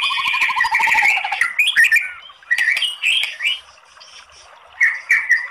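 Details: White-rumped shama, a bird kept for singing, with a long varied song used to provoke singing: a fast rattling trill of repeated notes, then short whistled and chattering phrases with sharp clicks, separated by brief pauses.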